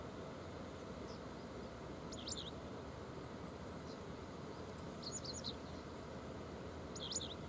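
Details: Japanese wagtail by the Oita River, Japan, on July 30 at 7:14 in the morning, calling to companions: sharp, high chirping calls in three brief bursts a few seconds apart, over a steady roar of rushing river water.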